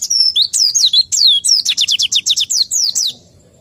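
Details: Under-conditioned white-eye sings high falling slurs, then a fast repeated run of bright chirps before stopping abruptly.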